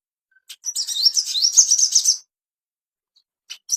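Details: High, fast twittering song of an ashy tailorbird, played as training material to bring on breeding condition; about one and a half seconds of rapid rising squeaky notes, then silence and a few clicks.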